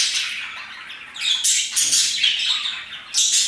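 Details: Parakeets chirping energetically at about 2pm; a steady chattering bed of high chirps broken by louder scratchy squawk bursts near the middle and end.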